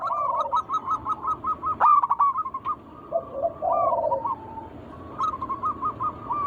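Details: Local wild zebra dove song used to lure other doves into singing: a rapid series of short, even, mid-pitched cooing pulses, a pause with lower drawn-out coos, then another quick run of repeated pulses.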